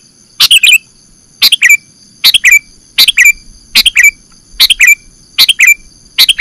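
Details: Sooty-headed bulbul lure for catching birds: a harsh note followed by two or three quick gurgling chirps, the same phrase repeated steadily about every 0.85 seconds over faint high tones.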